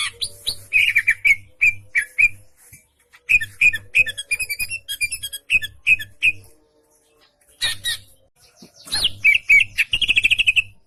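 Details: Greater green leafbird, a caged songbird in a gacor ngentrok style with harsh tight bursts and varied phrases, singing rapid chattering bursts of high notes in short clusters with pauses, ending in a dense rattling trill.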